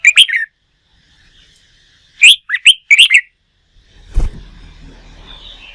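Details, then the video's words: Red-whiskered bulbul, a newly caught wild bird being stimulated and trained for singing contests, gives a short burst of chirpy, warbled notes, then after a pause a quicker run of bright chirped phrases; a dull thump and low rumble follow. "Luyện chim hót đấu, kích chào mào bổi"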